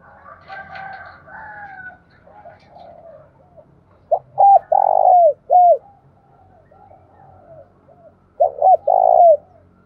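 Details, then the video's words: Spotted dove calling in the mountains and forest of Dong Nai, Vietnam; quick short coos leading into a long purring coo, repeated twice, softer bird notes and distant cooing in between. "Tiếng chim cu gáy thúc và gáy gọi vang cả núi rừng Đồng Nai"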